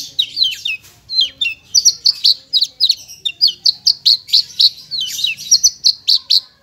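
A Javan bush lark pours out a fast, varied song of sharp, high chirps and clipped whistles, several notes each second without pause.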